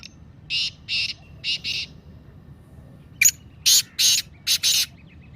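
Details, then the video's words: Black francolin (Kala Teetar) giving its harsh call, used to stimulate captive birds. Two phrases about two seconds apart, each of four grating, buzzy notes, the second phrase louder and opened by a sharp click-like note. "کالے تیتر کی مستی والی آواز - Kala Teetar Calling Voice"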